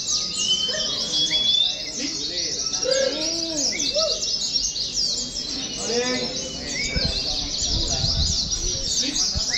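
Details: Several caged Oriental white-eyes singing together during mock-contest training, a busy high, rapid chirping chorus over scattered lower arched whistles and background voices.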